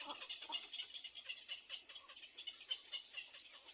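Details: Little egret nestlings beg to be fed by their mother with rapid, rasping chatter of dry broadband clicks, about fifty bursts a minute at an uneven pace.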